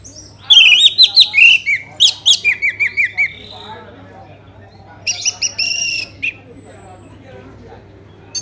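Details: Orange-headed thrush song, used as a lure to get other birds singing: rapid runs of clear whistled, wavering notes with short harsh bursts, a pause, then a second burst of rich notes and a low steady hum.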